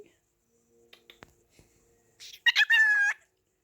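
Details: Pet cockatiel asking "whatcha doing" indoors: after near silence with faint clicks, a short burst of warbled, harmonic-rich chatter ends in a steady, slightly wavering tone lasting about half a second.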